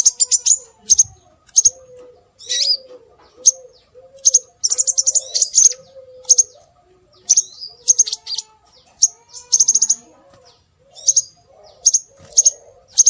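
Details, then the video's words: Scarlet minivet lure: a long series of high, sharp whistled notes, singly and in fast clusters, fairly steadily repeated, with a soft low warbling tone running behind. "Suara Burung Sepah Raja"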